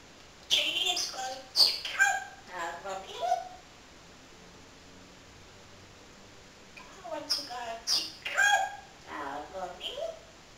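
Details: Male pet parrot talking in imitated human words about wanting to travel to Cape Town; two bursts of rapid, speech-like syllables with harsh high squawky edges, separated by a few seconds of quiet.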